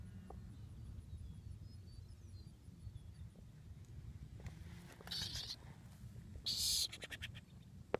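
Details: A nearly fledged burrowing owl, displaced from its burrow by flooding at a Florida ranch, gives two harsh, buzzy hissing bursts mimicking a rattlesnake to warn off visitors; quick ticking follows over a steady low rumble.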